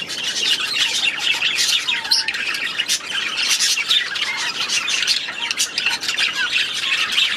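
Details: In an aviary, many budgerigars keep up loud, busy chatter of grating squawks and twittering notes, with a few clearer whistled chirps.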